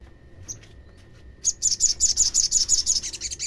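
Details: Olive-backed sunbird calling to provoke others of its kind to answer: a quiet opening, then a fast, even trill of about a dozen high, buzzy notes running to the end.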